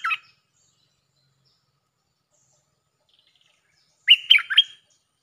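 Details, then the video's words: Streak-eared Bulbul lure recording in the Jao Bank song style: one brief chirp at the start, a long silence with a faint distant twitter, then a clipped phrase of three sharp sliding notes. "เสียงนกดอกแตงEp.153 ฟังกันยาวๆเพลงจ้าวแบงค์ มีเบิ้ล เพลงเพราะน่าฟังSuara pikat merbah lekir gacor"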